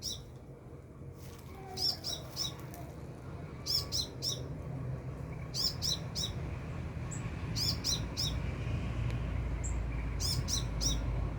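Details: Sunbird singing in the open, filmed at about 2.5 to 3 metres above the recorder; short bursts of high, thin chirped notes in clusters of three or four, repeated several times over low background rumble.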